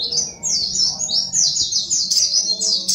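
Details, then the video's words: Continuous high twittering from a brown-throated sunbird, rapid wavering whistled phrases running together without pause. "SUARA BURUNG SOGOK ONTONG GACOR"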